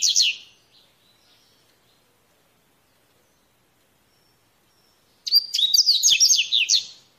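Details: Coleirinho, the Double-collared Seedeater, in the wild giving its mateiro song: a short tail of high warbled notes, about five seconds of quiet, then a full burst of rapid chirping whistles and descending slurs.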